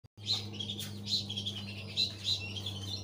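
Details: Thick-billed white-eye singing a lively, loud and clear song meant to lure other white-eyes into singing: short high chirps repeated about once a second over a steady low hum and a faint background hiss.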